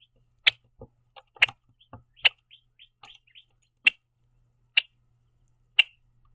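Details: A Red-winged Blackbird eating sunflower seeds at a backyard platform feeder gives sharp, dry check notes about a second apart, with soft taps and bumps between them; at times it spreads its wings to give a loud call.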